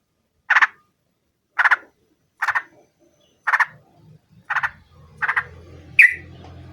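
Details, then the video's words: Yellow-vented bulbul singing to call a rival: short, bubbly, chattering bursts repeated about once a second, the last one sharper and higher, over a low humming background in the second half. "KICAU SUARA trucukan gacor MEMANGGIL MUSUH ini AMPUH JADIKAN burung trucuk gacor NYAUT SEKETIKA"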